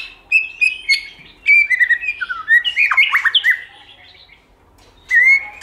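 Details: White-rumped shama singing in many voices, recorded to stimulate other shamas: loud whistled and slurred phrases with harmonics in short bursts, a pause of over a second, then a final rising whistled note.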